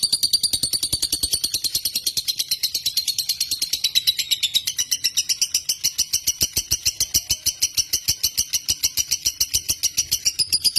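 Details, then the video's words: Indonesian lovebird singing a long, unbroken rapid trill, sharp high ticking notes run together at an even pace with a faint slide in pitch midway, no other sounds. "LOVEBIRD_INDONESIA Burung Cinta"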